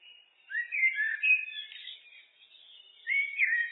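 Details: A common blackbird sings in a looped recording: melodious low whistles rising and falling, a softer twittering stretch, then another clear fluted phrase at the end.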